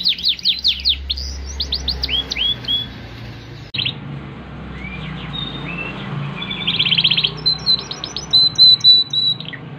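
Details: Yorkshire canary of show posture singing: bursts of quick downward-sweeping whistled notes, a brief pause, then slurred whistles, a buzzy rapid trill and a string of short sharp high notes, over faint low background hum.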